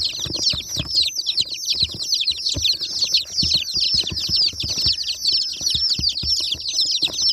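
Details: A group of new, colourful baby chicks keeping up a loud, unbroken chatter of thin, piercing, downward-slurred peeps, with occasional soft bumps and scratching in the background.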